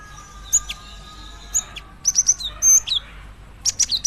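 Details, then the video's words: A female cinereous tit calling her mate gives piercing high chirps, first singly, then in a quick run of three, followed by a longer note and a final rapid cluster. "Suara burung gelatik batu betina memanggil jantan"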